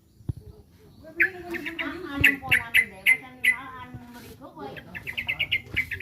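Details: Yellow-vented bulbul, said to be under threat, giving sharp chirped notes in quick bursts, several together near the middle and a fast run of short repeated notes toward the end, over low background sounds.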